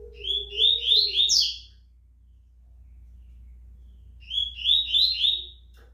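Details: Fast, strong-singing rusty-collared seedeater from tournament circles, delivering bright, rapid strings of high rising notes in short bursts about four seconds apart, with a soft lower whistle beneath and a constant background hum.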